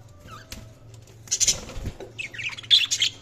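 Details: Budgies chirping in quick scratchy bursts with a few short whistled notes, busier and louder in the second half, a low hum underneath.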